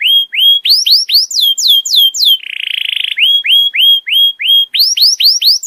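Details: Canary tutor song meant to help juvenile canaries learn new phrases faster: repeated upward-sweeping whistled notes, about four per second, broken by a short buzzy trill. The sound is clean, with no background noise.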